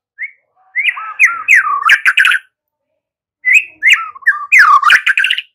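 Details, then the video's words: White-rumped shama song for drawing young birds into singing: two bursts of looping whistled phrases mixed with harsh, scratchy notes, separated by a second of silence. "Pancingan murai BAKALAN Agar ikutan NGEPLONG GACOR dengan CEPAT"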